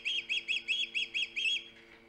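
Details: An osprey calling at the nest on Hog Island, recorded by a live camera on 3 September 2019, gives seven evenly spaced, piercing whistled chirps in under two seconds, then falls silent over a low mechanical hum.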